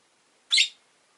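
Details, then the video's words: A single loud, rasping chirp, brief and shrill, from caged rosy-faced lovebirds, orange-faced and green, five of them housed by a window. "Lovebird Chirping Sounds"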